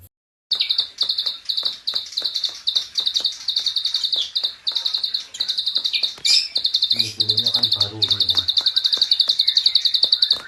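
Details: Klik-klik bird, a training recording for songbirds, in an energetic full-burst style: rapid, high, clicking chirps in fast runs, briefly broken near the middle, with sharp ticking clicks and a short low hum.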